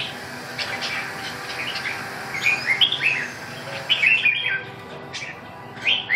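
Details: Red-whiskered bulbul with several bursts of warbling, slurred whistles that sweep up and down, grouped into two main phrases with a final note, over a low continuous background noise.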